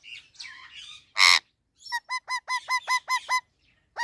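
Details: Indian ringneck parakeet talking: soft chattering, a sudden harsh squawk, then a run of eight short, evenly spaced, clear tonal syllables in quick succession, ending with one more note.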